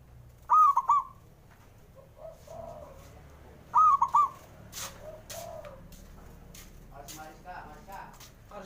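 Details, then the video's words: Male zebra dove calling to prompt slow-singing birds. Two clear triple-note phrases about 3 seconds apart, then sharp knocking clicks, low coos and faint chatter. "JENIS SUARANYA🔊 PALING BANYAK DI CARI UNTUK PENDOBRAK PERKUTUT MALAS BUNYI"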